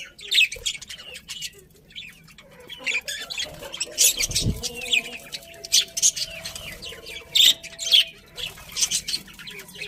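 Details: Several budgies chatter with sharp, high chirps and squeaky notes scattered unevenly, punctuated by short loud bursts and a faint low thump midway.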